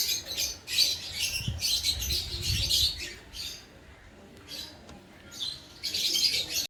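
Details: Lutino, orange sun and carnur lovebirds, a breeding pair, chattering in shrill, grating chirp bursts repeated unevenly about twice a second, fading to a quieter stretch before rising again, over low background rumble.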